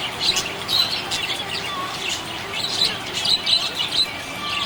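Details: Budgie chirping in a happy mood, rapid bright tweets and squeaky notes repeated about twice a second amid continuous chatter.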